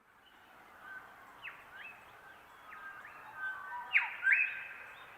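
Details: Shrike-thrushes, about half a dozen within hearing, sing a new song together at dawn in cool morning air that carries sound far: rich whistled phrases with quick rising and falling sweeps, the loudest ending in a bright upward flourish, over a faint distant dawn chorus.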